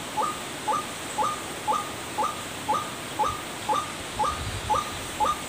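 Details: White-breasted waterhen lure call used to attract birds: a short mid-pitched note with a rising tail, repeated evenly about twice a second over steady background hiss.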